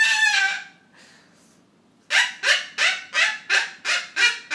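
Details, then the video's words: Household Triton cockatoo laughing with its owners over a comedy: a long grating screech, a short quiet gap, then a steady run of about eight evenly spaced hoarse 'ha' syllables. "Triton Cockatoo Julie- Funny Laughing Witch"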